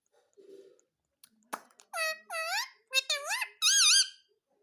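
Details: Indian ringneck parakeet, kept as a pet, talking and saying "mummy mummy": a few soft noisy sounds, then several high, clear, bending voiced syllables that rise and fall, the last one loud and wavering.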